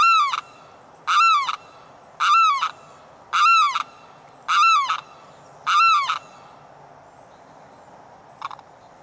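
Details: A Limpkin calling for its mate in the morning gives six loud, harsh, wailing cries about once a second, each a rising-then-falling 'kree-ow', then a faint short note; otherwise quiet.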